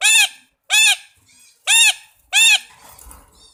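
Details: Red-breasted parakeet giving four loud, harsh, nasal squawks, each about a quarter second long, spaced irregularly with short pauses and a faint softer note between them.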